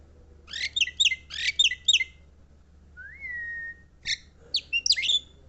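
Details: Javan myna singing: clusters of harsh, buzzy chattering notes in quick bursts, a smooth rising whistle held about a second, then more scratchy chatter and sharp whistled notes, clear against a quiet background.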